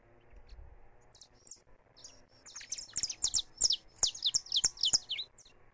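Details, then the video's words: Free-living saffron finch singing in a live recording: after a few scattered high chirps, a fast run of sharp, high chirped notes builds, repeated about three times a second, with faint background hum. "CANÁRIO DA TERRA CANTANDO LIVRE"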